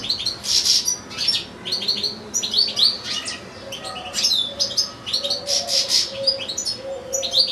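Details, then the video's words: European goldfinch in a cage alongside another goldfinch and two small goldfinch-canary hybrids, one goldfinch giving a long singing bout: fast, tinkling twitters and sharp buzzy notes in dense bursts, with faint low soft tones underneath. "ΚΕΛΑΗΔΉΜΑΤΑ ΑΠΌ καρδερίνες"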